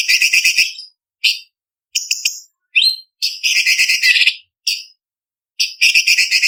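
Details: Cucak cungkok (blue-winged leafbird) in a varied, sharp 'kasaran pedas' contest tutor song: harsh rattling bursts interleaved with brief high chirps and rising whistled notes, delivered in quick succession.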